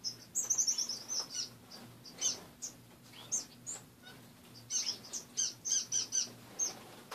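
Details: Caged pet finches chirping in the morning; scattered high short notes with a brief rapid run early on and a cluster later, faint room noise and hum.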